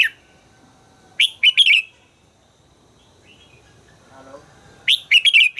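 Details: Red-whiskered bulbul in voice training, with two spirited phrases of four rapid, bright, warbling notes each, roughly four seconds apart, and a soft murmur in the quiet gap.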